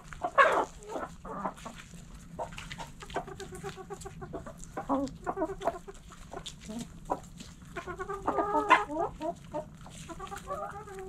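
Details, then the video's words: Hens in a backyard coop clucking steadily, rapid stuttering cluck series and occasional louder squawks amid constant low murmuring of the flock. "Backyard Chickens In The Coop Relaxing Video Sounds Noises Hens Clucking Roosters Crowing!"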